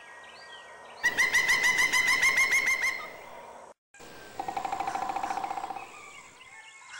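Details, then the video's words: A pileated woodpecker gives a loud, ringing series of quick wuk-wuk notes, about five per second, then a second, lower run of calls after a brief pause. "Pileated Woodpecker with Calling"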